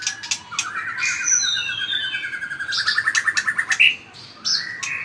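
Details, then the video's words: Combative song of a white-rumped shama flicking its tail strongly: a rapid, evenly repeated string of whistled notes drifting slightly downward, framed by high sharp accents and a whistled ending. "chòe lửa hót đập đuôi cực mạnh"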